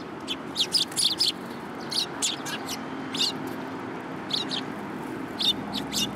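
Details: Sparrows in a city coming to get fed, 30 November 2015: a lively series of clipped high chirps, some doubled or tripled, spread evenly across the recording above a faint low hum.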